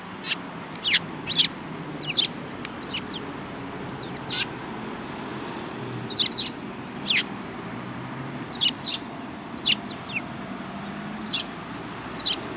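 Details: Sparrows, including one with a yellow beak, recorded 7 March 2018; short high chirps scattered every second or so over a steady low rumble of background noise, like distant traffic.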